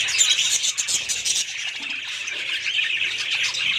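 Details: Budgerigars chirping rapidly, about four short notes a second, woven into a dense high chatter of twitters and squeaks.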